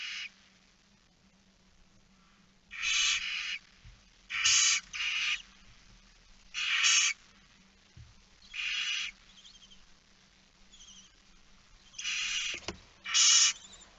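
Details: On 9 September 2019 at 20:09 a barn owl chick sits alone in its nest, producing a series of rough hissing screeches, some doubled, at uneven intervals over fourteen seconds.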